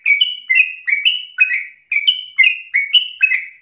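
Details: Short burst of yellow-vented bulbul ropel song, insistent and fast, used as a lure and master song: bubbly two-tone notes stepping up and down, one brief gap midway, then the rapid chatter resumes.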